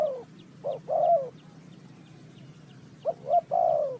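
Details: Spotted dove recorded for bird trapping, Ninh Thuận: two mellow coo phrases a couple of seconds apart, each a quick pair of short notes followed by a longer descending coo, against low steady background noise.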